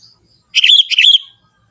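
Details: Wild young Sooty-headed Bulbul from the forest in lively natural voice: two quick bubbly, warbling phrases in close succession, clear against a quiet background.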